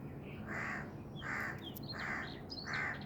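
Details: Four rough, rasping notes from a Black francolin follow one another quickly and evenly, while brief high chirps from another bird are heard between them.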